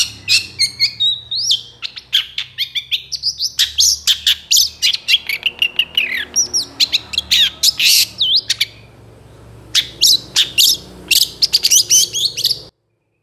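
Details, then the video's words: Long-tailed shrike, a long master recording of lively song stuffed with imitated fill phrases for training other birds: continuous rapid chips, buzzy rattles, slurred whistles and squeaks, with a short pause near the end. "SUARA CENDET FULL ISIAN GACOR DOR"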